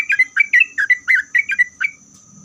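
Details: Sooty-headed bulbul singing to draw answers from other bulbuls: eight short bright whistled phrases, each a quick slurred up-down note, spaced evenly over two seconds, then quiet.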